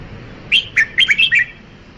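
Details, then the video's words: A single rapid phrase from a red-whiskered bulbul: six or so clear, bouncy whistled notes in quick succession, sweet and slightly varied in pitch, over soft background hiss. "Tiếng chim chào mào"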